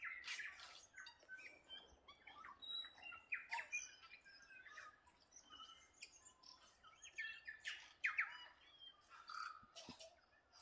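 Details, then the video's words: A lively Waikawa bird chorus of many overlapping voices, with sharp chirps, buzzy trills and clear whistled notes following one another rapidly throughout. "Waikawa Bird Song"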